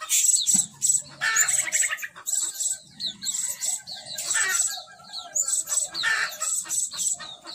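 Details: Blue-crowned hanging parrot kept as a decoy bird, calling actively to lure others: bursts of thin, sharp, very high chirps and squeaky trills in quick clusters, with brief pauses, over faint low clucking in the background.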